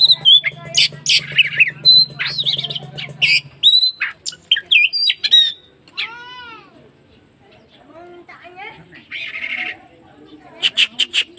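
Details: Oriental magpie-robin giving a rapid series of sharp whistles and chirps at first, then a drawn-out call with stacked harmonics, a quieter scratchy stretch, and a closing burst of clipped notes.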